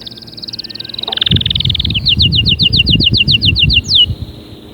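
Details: Canary song to motivate other canaries to sing. A long steady high trill dips lower, then breaks into a series of distinct falling notes repeated about four per second. One sharp downward swoop follows, with low background rumble.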